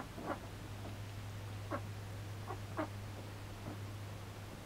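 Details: Male mallard being trained to perch on the hand, uttering a series of brief soft quacks spaced irregularly, with a constant low hum in the background.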